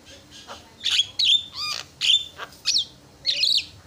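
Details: Javan myna singing to provoke rival mynas into calling back: separate harsh, squeaky bursts mixed with whistled slurs, each lasting a fraction of a second, spaced by short gaps.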